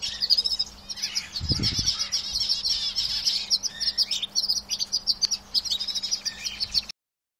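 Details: Canaries in a cage sing an unbroken run of bright, high chattering trills and tweets that rise and fall in loudness. A brief low thud is heard early on before the song cuts off.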